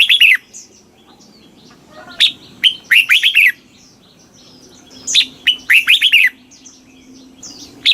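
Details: Red-whiskered bulbul from Thailand singing a southern master-style song, played to excite caged birds and teach young birds. Loud bursts of four to six quick, bright whistled notes come in phrases separated by pauses, over a faint low hum.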